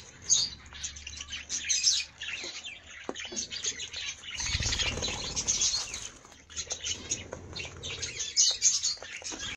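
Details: Aviary full of colourful budgerigars, nonstop twittering and warbled chirps from the flock, brief sharp squeaks standing out, with a low thump and flapping wings partway through.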